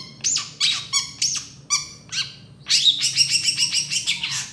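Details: Long-tailed shrike in gacor song with tembakan phrases: spaced harsh chirps with rich overtones, then a fast continuous run of high trilled notes.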